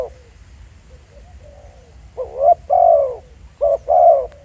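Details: Spotted dove recorded live in the field at Pha Sing: soft low-pitched hooting coos, a faint opening then four louder rounded notes in two pairs in the final half, over a low background hum.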